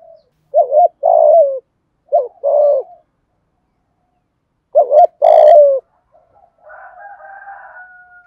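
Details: Local-voiced spotted dove coaxing coos for luring a decoy bird: three quick phrases of clipped notes and rough descending coos, one with a brief harsh crackle, ending with soft steady whistled tones.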